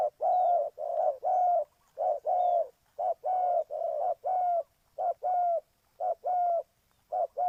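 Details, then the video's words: Spotted dove calling in Ninh Thuận, used as a lure for trapping: low, mellow coos, each about half a second, delivered in steady pairs and short runs at roughly one note per second, with quiet gaps and no other clear sounds. "Cu gáy Ninh Thuận,นกเขาใหญ่สายต่อดิน"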